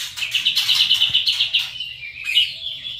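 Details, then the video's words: A white-rumped shama gives a rapid kretekan rattle of fast repeated high notes for about a second and a half, sliding into a thinner, softer whistle. "kretekan Murai Batu seri F trotol bikin Ribut suasana"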